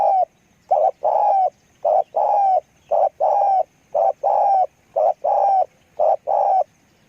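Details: Spotted dove in a clean, close recording. It gives low, hollow cooing in paired phrases, a short coo followed by a longer drawn-out rolling coo. The pairs repeat about six times in steady succession against a quiet background.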